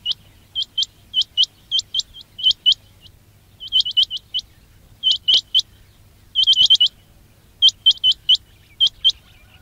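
A quail gives high, sharp, rising chirps in quick bursts of two to six notes, separated by short pauses, over a faint low hum.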